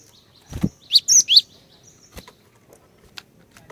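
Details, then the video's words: Female cinereous tit calling males to sing: a low thump, then three loud, high, quick whistled notes in a tight burst, followed by scattered faint clicks. "Kicauan Glatik Betina Pikat Gacor, Cepat Bikin Glatik Jantan Ikut Bunyi Gacor"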